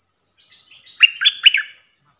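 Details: Stripe-throated bulbul song used as a trapping lure: a soft warbled lead-in, then three loud, bubbly, liquid notes that jump up and down in pitch, ending in a fading trill, with a quiet background.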